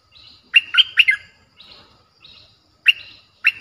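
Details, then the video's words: Lure song of a Streak-eared bulbul, played to call in combative wild birds: a lively four-note chirping phrase, then softer murmured notes and two sharp single chirps near the end. "เสียงนกดอกแตงEp.98เสียงดุดัน เปิดต่อนกป่าตัวดุๆ"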